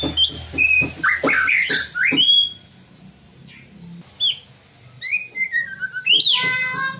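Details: Provocative white-rumped shama song for getting other shamas to sing: bursts of whistled and chattering notes, a quiet gap, then scattered high slurred whistles rising again.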